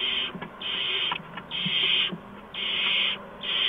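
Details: Owlets at a nest on the evening of March 13, 2015, during adult deliveries of mice and a gopher. Long harsh hisses, some lasting over half a second, alternate with short pauses and light scratching clicks.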